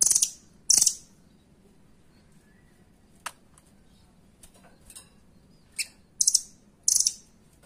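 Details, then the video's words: Nuthatch song in the 'doraemon' style, used as a master recording to train competition birds and described as tight, full-power bursts: loud, very high rattling trills in short bursts, separated by gaps with faint ticks. "SUARA RAMBATAN DORAEMON FULL POWER"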